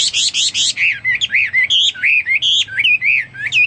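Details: Song of a Hwamei: three quick harsh buzzy notes, then a lively string of clear upslurred and looping whistles, loud and close, given nearly nonstop.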